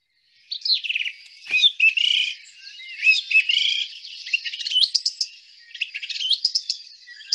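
Song thrush singing loud, clear, varied phrases, each short note or flourish repeated several times before switching to a new one, with no other sounds.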